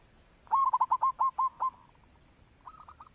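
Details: Zebra dove, local type, singing a lure call: a loud rapid series of eight rolling coos, each note sharply bent, fading into softer coos and a quiet second burst.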